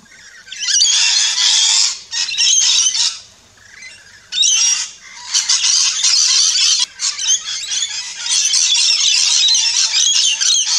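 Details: Rainbow lorikeets chirping and squawking at a backyard feeding station in Australia: harsh, buzzy screeches in dense bursts, with a quiet gap near three seconds before the noisy chorus resumes.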